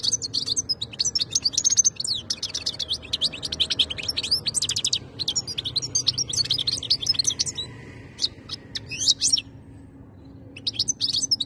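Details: European goldfinch, called khaloui, singing a long run of rapid, liquid twittering with high tinkling notes and quick buzzy trills. A short pause falls near the end before it resumes briefly. Faint low hum underneath.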